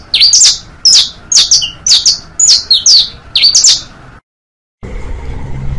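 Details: Saffron finch singing as a model for young basto, pinto and fino birds: six phrases of high chirps and down-slurs about every half second, then an abrupt silence and a burst of background noise.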